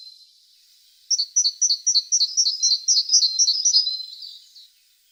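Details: A singing tit delivers an even, rhythmic string of about twenty sharp, high double notes, four per second, after a quiet second, then fades out.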